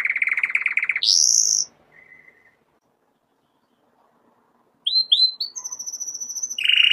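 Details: Canary song: a loud buzzy trill near mid-high pitch, then a sweeping high whistle, a pause of near silence, and rising chirps leading into high whistled notes and another buzzy roll.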